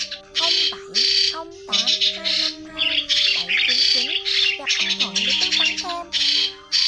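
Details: Migrating starlings, white-headed kind, in a lure for trapping: repeated harsh squawk bursts over sustained level tones, with dipping, twangy nasal notes scattered throughout.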